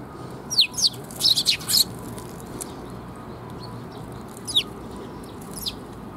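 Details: Sparrows coming to be fed at a perch on 7 June 2021; a quick burst of sharp, high chirps, then two isolated thin chirps after a pause, over a steady low background hum.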